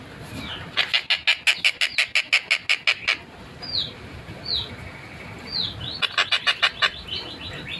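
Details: Long-tailed shrike (tengkek buto) in energetic, clear, fast-paced song, recorded 14 December 2025: rapid runs of harsh, rasping notes about three per second, broken by a few falling whistled slurs.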